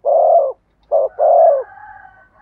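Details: Spotted dove cooing in the Vietnamese thổ sấm song style: a mellow low coo, a short pause, then a short note joined to a long rolling coo. A faint, thin, higher tone trails at the end.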